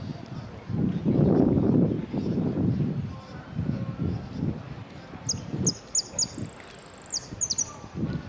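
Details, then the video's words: A yellow saffron finch, competing in a 'sin cierre' class at the Ciudadela interclub cup on 8 March 2014, sings bright, high chirps and a thin sustained whistle in the last three seconds, after low murmuring voices. "Participo en amarillo sin cierre"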